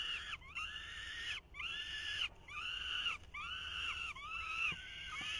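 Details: Falcon chicks at a nest in 2023 as the male tries to feed them: long, harsh, drawn-out screeches around the same pitch, five in a row, each a little under a second with short gaps.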